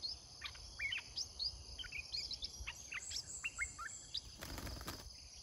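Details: Decoy Red-whiskered bulbul in a cage for luring wild birds, with scattered quick whistled and chirping notes, some rising, against loud buzzing insects and a brief rustling crackle near the end.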